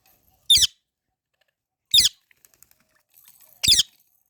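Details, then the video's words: Baby parrot giving three short, harsh, high chirps spaced roughly one and a half seconds apart, each with a low thump, plus faint clicks between. "Baby Parrot Natural Sounds | Parrot Chirping Sounds"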